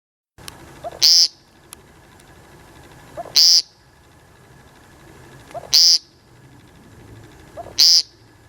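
American Woodcock giving four harsh, buzzy, nasal peents about every two and a half seconds, each led by a soft low note; quiet background.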